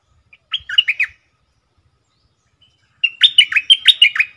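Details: Bulbul used as a caged decoy bird: a brief chortled phrase of liquid notes, two seconds of quiet, then a longer, louder run of rhythmic, repeated slurred whistles in doubled style.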